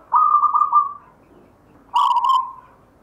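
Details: Zebra dove of local stock, singing the gayer style, kept from a grandfather; a long steady cooing note about a second long, then a pause and a second phrase opening with a rough buzzy start that settles into a ringing coo.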